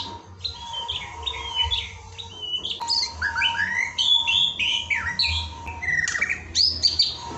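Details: Evening masteran recording of white-rumped shama (murai batu) song: a busy stream of short warbled and whistled notes at varied pitch, one sharp click, over a steady faint tone.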